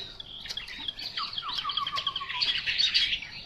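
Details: Chinese hwamei singing a quick, varied phrase of bright chirps and short whistled notes, with a descending run of slurred whistles in the middle and denser high trills toward the end.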